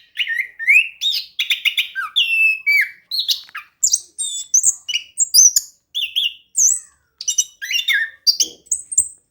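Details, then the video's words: Energetic rolling song of an orange-headed thrush, played to stimulate lazy singers. Many short, varied phrases of whistles, slurred downslurs and sharp high ticks follow each other about twice a second. "ANIS KEMBANG GACOR DAN NGEROLL COCOK UNTUK PANCINGAN ANIS KEMBANG MALAS BUNYI"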